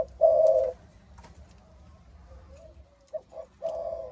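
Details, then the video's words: Malaysian-line spotted dove with a deep 'âm thổ' voice style: one long burry coo, a pause with soft murmured notes, then two quick short notes and another long rolling coo. "Cu gáy malaysia dòng âm thổ tê tái"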